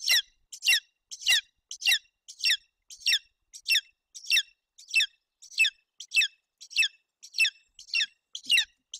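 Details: Hungry golden eagle eaglet with an empty crop, at a nest in Bucovina, Romania, on June 8, 2021, as its mother brings a roe deer fawn to feed it: high, thin, downward-sliding squeals repeated steadily, about one and a half per second.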